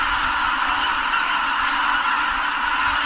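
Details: Greater white-fronted geese at Kabukuri-numa marsh on New Year's Day 2022, a large flock lifting off together just before sunrise, apparently startled; a dense, unbroken wall of overlapping honking calls fills the whole stretch.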